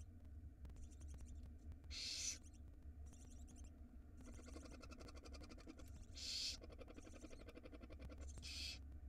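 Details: Tiny barn owl nestlings at feeding time in a nest box on a live camera in Israel, spring 2022: repeated rasping, hissing bursts about half a second long, mixed with rapid chittering twitters, over a low steady hum.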